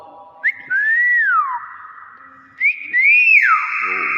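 Common hill myna giving two loud, clear whistled phrases, the first rising then sliding down, the second a bright rising-falling note, in a quiet room.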